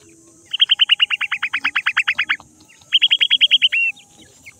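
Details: Francolin chicks playing in mud: two rapid runs of sharp, clear chirping notes, about twenty then eight, each note sliding downward, ending in a short drawn-out note, over a quiet background with faint hiss.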